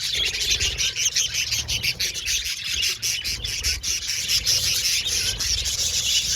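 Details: Aviary of Australian budgies chattering continuously, a busy wash of high twittering and scratchy chirps with quick clicking notes, steady low background hum underneath.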